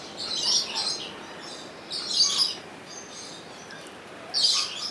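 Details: Rainbow lorikeet kept at Opole Zoo, recorded with a Sony HDR-XR160E: three loud, rasping high screeches, each lasting about half a second, spaced roughly two seconds apart.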